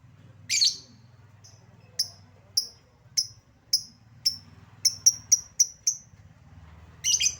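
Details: Lovebird lure sound for prompting quiet lovebirds: a shrill burst, then a series of short, thin, high chips that speed up into a quick run of five, ending with another shrill burst.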